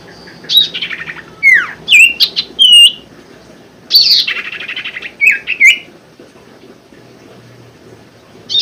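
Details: Common Iora song used as a lure for caged birds that are silent or lazy to sing: loud clear whistles, some dropping, some with a flat sustained tail, grouped in two phrases with a quiet pause between them.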